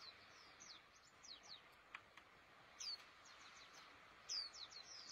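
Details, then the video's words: Sparse, high, thin chirps from a caged white-eye, locally called pleci. Short downslurred notes come in small bursts, with a louder twitter near the end, over steady background hiss. "Burung Pleci Gacor Di Kandang Yang Estetik"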